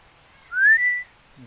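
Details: Young Philippine eagle calling while bonding: one clear whistled note that slides upward and then holds steady for about half a second, over quiet background.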